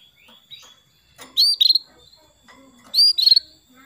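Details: Female canary calling the male to prompt him to sing. Two calls about one and a half seconds apart, each a high pure whistle followed by a burst of rapid staccato chirps. Faint twittering is heard in between.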